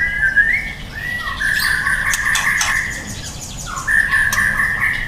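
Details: Young white-rumped shama, called a promising juvenile (trotol): clear, sustained whistled notes that step up and down in pitch, some sliding upward, over a constant hiss of background noise with faint clicks.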